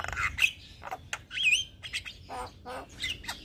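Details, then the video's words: Young Javan myna singing, kept as a master bird for other mynas: mixed harsh squawks, a sharp wavering whistle, and grating nasal chatter in uneven bursts. "Jalak Kebo Muda Gacor Untuk Masteran Dan Pancingan Semua Jenis Burung Jalak"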